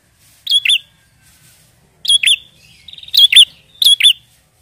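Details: Prinia in full song, used as a lure for trapping prinias: sharp paired chirps, each pair preceded by a short buzzy trill, repeated four times with brief silent gaps.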